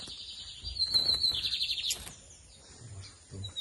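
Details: Lined seedeater, known in Brazil as bigodinho, in a singing duel against another bird; short high buzzy trill of quick repeated notes, ending abruptly, then quiet with faint background noise.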